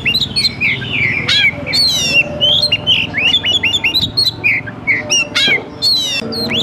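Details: Oriental magpie-robin in fighting display with spread tail, a kept songbird used as a training model: rapid varied whistled notes, rising and falling slurs with harsh buzzy bursts, continuous dense phrases, steady low hum beneath.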